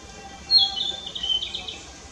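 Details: Narcissus flycatcher singing in Fuchu, Tokyo, Japan, on 4 May 2017, recorded with a Nikon COOLPIX P900 camera. A short, varied warbled phrase of high, quick whistled notes that fade after about a second and a half, over faint background noise.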